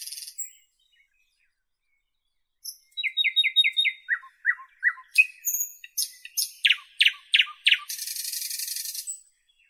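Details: After a pause, a Northern European nightingale sings a faint whistle, a rapid set of repeated clicking notes, falling notes, loud whipping calls, then a long grating buzz ending in silence.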